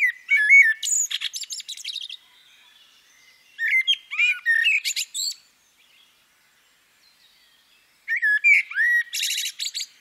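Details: Female common blackbird sings three separate phrases, each pausing a few seconds before the next. Each opens with rich, slurred flute-like whistles and ends in a scratchy, high-pitched chatter of fast squeaks. The background is quiet.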